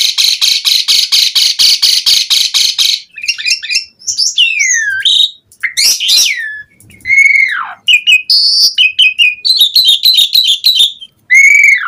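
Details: Lure song of an Asian pied starling in lively 'gacor mompa' form, rich in varied phrases: about three seconds of rapid harsh buzzy pulses, then swooping and looping whistles, falling slurred notes and short repeated chips.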